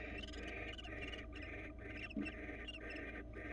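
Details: Barn owl at a Florida nest camera as the male brings a rabbit to his mate; rhythmic broad hissing bursts repeat about every half second over a steady low hum.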